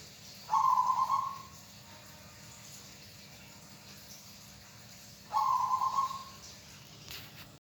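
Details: Two quivering, purring coos from a local zebra dove favoured by hobbyists, spaced roughly five seconds apart, each held steady then tapering. A brief sharp click sounds near the end over a low background hiss.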